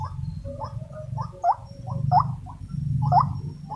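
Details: Wild white-breasted waterhens, agitated while being trapped with a decoy, give a run of short, rough, croaking notes about once a second, some rising at the end, over a low rumbling background.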